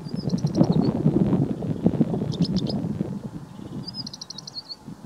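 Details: Male rufous-capped lark at close range at Wadi Reema near Abha, Asir Province, southwest Saudi Arabia, singing between bouts of preening and foraging: three brief bursts of thin, high, rapid twittering notes, half a second each, over heavy wind rumble.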